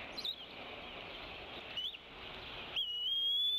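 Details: Female bald eagle at the Decorah nest, 27 April 2016, calling off the nest as the male feeds the eaglets. Two short high chirps, then a sustained, piercing, slowly rising whistle runs to the end.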